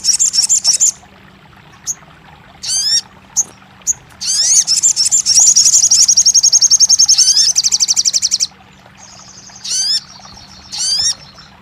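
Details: Crested jay, played as therapy for a bird that has gone silent: short rattles and sharp rising whistled notes, then a long fast high rattle of several seconds, then more scattered rattle bursts.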